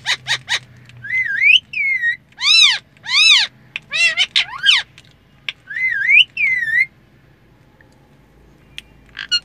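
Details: Pet talking parrot inside a car opens with quick clicks, then rising whistles, arched harmonic squawks and more upward-sliding whistles, before falling mostly quiet. A low car rumble continues underneath.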